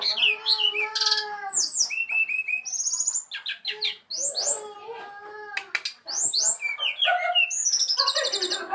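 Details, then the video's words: Brown-chested jungle flycatcher singing; a loud, varied stream of clear whistled notes, slurred rising and falling phrases and high trills, with brief pauses between bursts. "kicau burung sikatan rimba dada coklat"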